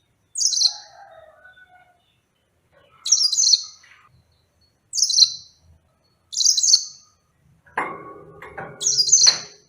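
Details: Yellow-fronted canary song of brief, high, twittering phrases with fast downward sweeps, repeated about every one and a half seconds, ending with low clattering noise.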